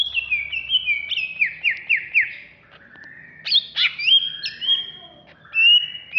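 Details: Excited greater green leafbird of Alas Purwo origin, kept in a cage in Jatiasih, Bekasi and ready for competition: a loud rapid string of downward-slurred whistles, a brief pause, then steep rising swoops and level whistled phrases.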